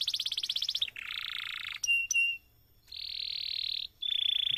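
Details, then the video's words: Canary singing a long master song to prompt other canaries: fast rattling trill, harsh buzzy roll, two sharp click notes, then steady high buzzing trills. "MASTERAN suara BURUNG KENARI GACOR PANJANG || COCOK untuk PANCINGAN KENARI lain !!!"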